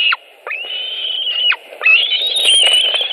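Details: White-tailed eagle eaglet at a nest in Latvia on 25 July 2018 as an adult brings carrion; high, thin whistled calls, long drawn-out and slightly rising, broken by short down-slurred notes.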